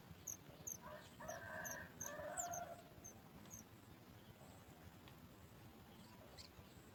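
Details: Sooty chat chick at the nest, calling as it hears its mother bringing food: a harsh, raspy burst of noisy calls lasting about two seconds, with thin, high chirps repeated before and after against faint background hiss.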